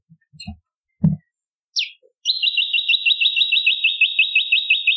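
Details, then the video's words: Bar-winged prinia song used as a lure and training recording for other songbirds: a fast, even trill of high chirping notes, about five a second, after a few dull knocks and one sliding note. "Prenjak Lumut Gacor"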